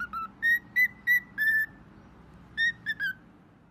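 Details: Pet bird copying a phone ring: several clear whistled beeps, one drawn out longer, a brief quiet gap, then three quicker notes ending on a slight downward slur.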